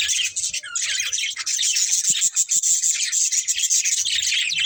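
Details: Breeding pair of budgerigars kept as pets, giving a dense, continuous chirping chatter of rapid high warbles and squeaky notes with brief clicks underneath.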